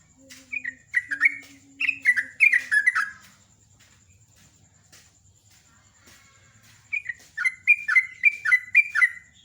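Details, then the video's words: Sooty-headed bulbul giving morning song in ngecruk style, chattering slurred whistle bursts at start and end with a quiet gap, a faint low steady tone beneath the first burst. "Jogjog ropel ngecruk kicauan pagi"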